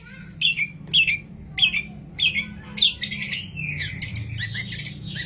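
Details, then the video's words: Lure song of a long-tailed shrike filled with borrowed material, including sparrow-fight imitations, used to make other shrikes sing. Harsh squawking notes repeat about once a second, then run into a busy chattering jumble. "CENDET ISIAN GANAS Pancingan Ampuh Burung Trotol Gacor"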